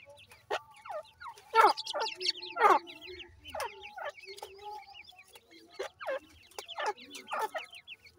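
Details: Grey francolin chicks utter irregular bright falling cheeps, roughly one a second, between loud sharp bursts of noise and short quiet gaps.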